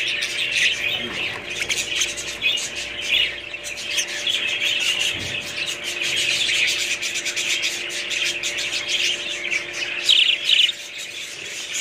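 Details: Continuous dense budgerigar chatter: a scratchy, rasping twitter of many overlapping high notes, with a few clearer chirps near the end and a faint hum beneath.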